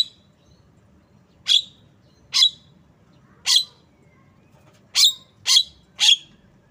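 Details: Javan myna repeating loud, grating high notes, six in about five seconds, closer together toward the end, against a quiet background.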